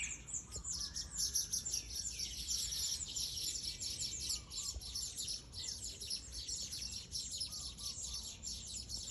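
Weavers chatter in a dense, continuous mass of high, wheezy, sizzling notes. Several birds sing at once, with low background rumble underneath.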